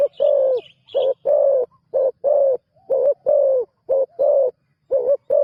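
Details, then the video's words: Spotted dove, a newly trained decoy bird on its first ground training outing, gives loud, deep cooing in short-then-long paired notes, repeated steadily, with faint high chirps from small birds early on. "นกเขาใหญ่ต่อดิน ฝึกนกใหม่ออกฝึกครั้งแรกพอได้ยินเสียง"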